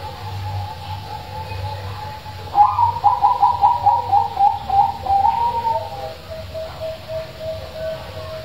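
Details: Strong-voiced zebra dove singing, a recording meant to stir silent doves into song: a level coo leads into a quick rhythmic run of clipped, slightly rising notes for about three seconds, ending in a lower sustained tone, over faint hum.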